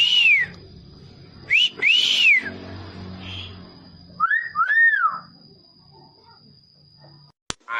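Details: Pet hill myna, a talking bird, making a clear whistled sound: arched whistles rising and falling, a pair near the start, another pair near five seconds, with quiet gaps and a sharp click near the end.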